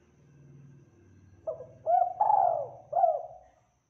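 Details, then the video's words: Spotted dove (tekukur) singing actively, recorded to train caged birds: a low hum at first, then a short rising coo, a longer drawn-out falling coo and a final bent coo, clear and full-toned. "MASTERING TEKUKUR GACOR SUARA JERNIH TEBAL MEWAH"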